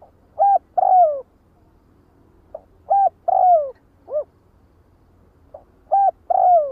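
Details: Spotted dove giving flock calls, three phrases of soft hooting coos, each with a drawn-out falling note in the middle, spaced about three seconds apart.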